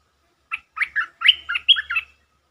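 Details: Stripe-throated bulbul lure song, 'sap rik' style, from a provoked territorial bird: a single phrase of several rich, slurred, warbling notes, some rising and some falling, lasting about one and a half seconds. A faint low hum sounds underneath.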